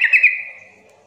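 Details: Sooty-headed bulbul call used to coax quiet birds into calling back: a bright whistled phrase that starts with quick notes and then trails off into a fading, level tone.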